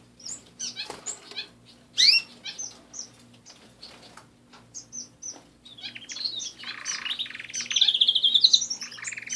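Canaries sing in high, quick twittering phrases, ending in a rapid rolling trill, with scattered chirps and a faint low hum behind.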